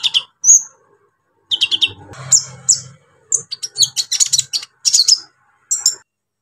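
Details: Brown-throated sunbird in full song, used to provoke other sunbirds: bursts of sharp, high chirps and short trills, with a thin whistled note near the start and a dense run of ticking notes toward the end.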